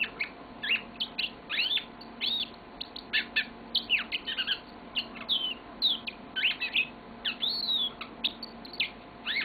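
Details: A pet yellow-fronted canary delivers a long, continuous song of high sweeping whistles, sharp chirps and fast trills, phrases following one another with tiny gaps, over faint room hum.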